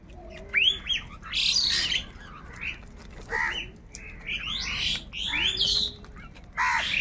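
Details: Crows fighting over food give loud, harsh squawks and rasping bursts, several overlapping birds calling in quick irregular succession, with a steady low background rumble outdoors.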